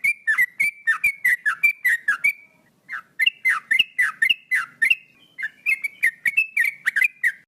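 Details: Male Sooty-headed Bulbul singing nonstop, known locally as trucuk gacor: a long run of short whistled notes, each with a quick downward slur, delivered in quick bursts and separated by a brief pause near the middle.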